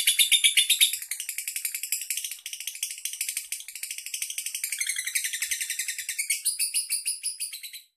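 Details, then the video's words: Andong lovebird from Bandar Lampung, Indonesia, caged and singing for long duration: loud rapid high chatter at the start, then a quieter, fast, scratchy stream of notes rising again near the end. "Lovebird andong unjuk gigi"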